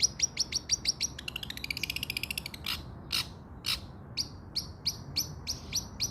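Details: Long-tailed shrike song used as a training recording for a bird that has stopped singing: a fast series of short sharp high chips, then a quick buzzy rattling trill, several loud harsh notes, and more clipped high chips.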